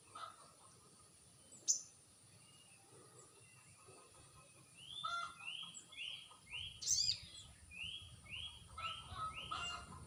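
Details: Crested jay lure call, used to provoke a reply from wild birds: a series of about nine short, arched, whistled notes repeated roughly every half second in the second half, with a few sharp high clicks before it.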